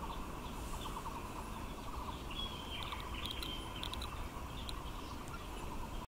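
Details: A Taiwan barbet (Psilopogon nuchalis) sings in March 2021 where kapok trees bloom: a fast, steadily repeated run of hollow, low notes, with higher chirps from other birds and a heavy background rumble.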